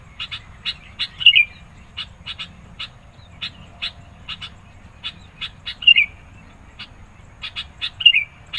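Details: Persistent sooty-headed bulbul song meant to challenge rivals and attract birds. Short dry chips come in uneven bursts, broken three times by louder bent whistled notes.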